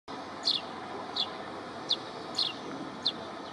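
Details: An Iago sparrow, endemic to the Cape Verde islands, gives five short, high, sharp chirps about every two-thirds of a second over a steady background rumble like distant traffic.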